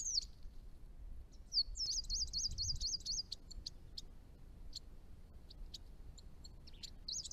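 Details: Chestnut-rumped Thornbill at ponds in northern Victoria, Australia, near its range edge: a rapid run of about eight looping high whistled notes, then scattered short high ticks, with low rumble in the background.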